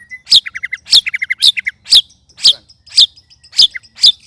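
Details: White-rumped shama, one of three sparring birds, with loud strange sounds: sharp high chips about every half second, the first ones each followed by a quick run of three or four short lower notes.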